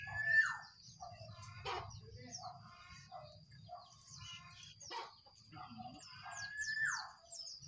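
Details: Jongkangan birds, one wild and two caged, competing in song: bursts of chattering notes, rising whistles and high slurred chirps separated by short pauses, with a steady high ringing tone behind.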